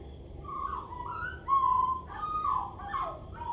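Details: A common blackbird perched at a roof gutter sings low, mellow, fluty phrases that slide up and down, with a faint hiss of background noise.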